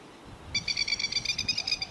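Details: Lapwing (plover) living with its young around a neighbourhood gives a rapid, stuttering run of shrill, ringing notes, about a dozen per second, for over a second, over a faint low rumble.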